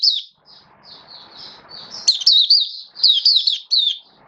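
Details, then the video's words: Oriental white-eye kept as a songbird, build-up form, 19 September 2022: soft high warbling at first over light rustle, then louder rapid chirping twitters in clustered bursts. "Mata Puteh V2 Raja Buka Sing Build Up Form"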